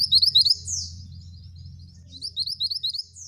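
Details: Male scarlet minivet in lively song, with short bursts of thin, high, rising whistled notes separated by a long quiet gap, above a steady low hum.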